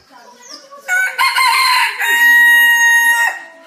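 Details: An ornamental rooster crows once in the morning in Indonesia, a loud harmonic cock-a-doodle-doo of about two and a half seconds that holds a long steady final note before dropping off.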